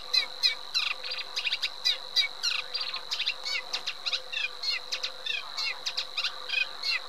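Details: Eurasian reed warbler in full song, a rapid, rhythmic sequence of grating churrs and clicks with frequent repeats of each note type, a steady high tone running underneath.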